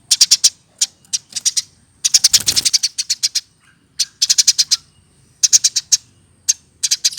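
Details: Caged Eurasian tree sparrow, hand-raised from a chick and over one year old. Chattering clusters of rapid high chirps in irregular bursts, with a short rustling knock midway.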